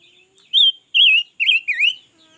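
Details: Red-billed leiothrix, a newly kept bird said to sing all day, giving three loud, rich warbled phrases that slur up and down, with a soft thin note just before them. The background is otherwise quiet.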